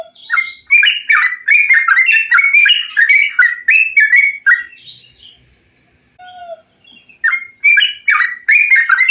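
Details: Bulbul singing, training material meant to make caged bulbuls sing actively; fast chattering bursts of short bubbly notes sweeping up and down, dense for about five seconds, a brief pause with a lone whistle, then more quick chatter.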